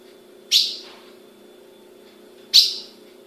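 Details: Captive female azulão, an ultramarine grosbeak kept by a Brazilian breeder, gives two crisp high chip notes two seconds apart against a constant low background hum.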